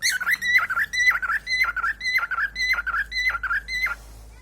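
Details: A newly acquired male cockatiel sings a quick run of repeated whistled phrases, each rising then dipping sharply.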